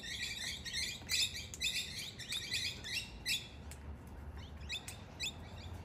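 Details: Male and female Australian king parrots contesting for dominance near a door: loud rasping chatter in stuttering bursts that thin out toward the end, with a faint low hum underneath.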